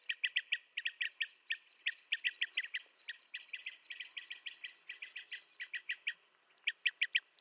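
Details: Blue-tailed bee-eater calls in rapid rolling series of short trilled chirps, many notes per second, pausing briefly near six seconds then resuming; steady insect hum in background.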